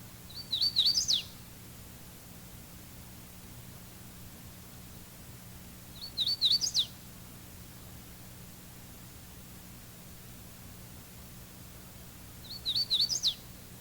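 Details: Hooded warbler (Setophaga citrina) giving three songs roughly every six seconds: quick, high, ringing whistled phrases, a-weet-a-weet-a-weetio, ending in an emphatic upward jump in pitch, over a faint low hum.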